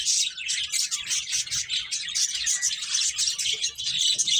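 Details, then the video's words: Several finches chirping while they play, a steady, busy wash of high twitters and short whistled notes with no break. "Beautiful Birds Chirping Sounds | Cute Finches Playing"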